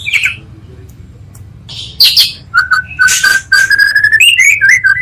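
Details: Oriental magpie-robin lure song for provoking other magpie-robins: a short warble, a pause, scratchy bursts, then a run of steady whistled notes rising slowly into looping slurred phrases.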